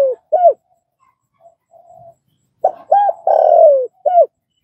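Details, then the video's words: Spotted dove cooing, used to train a newly caught dove. A phrase ends, soft low murmurs follow, then a full phrase of two short coos, a long drawn-out falling note and a crisp closing coo. "Tiếng cu gáy"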